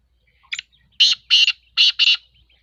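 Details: Black francolin (kala teetar), two males calling in competition early in the season: a short click, then four harsh, grating buzzy notes in two pairs over about two seconds, with a quiet background.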